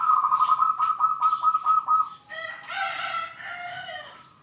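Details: Zebra dove, a kept singing bird, calling out rivals: a loud run of quick rattling coos for two seconds, then softer, broader warbling notes with background clatter.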